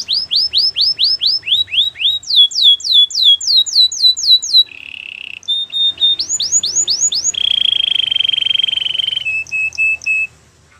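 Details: Canary song built of rapid tours: runs of sharp downslurred whistles repeated about four per second, then a steady buzzy trill and a few short clipped notes at the end.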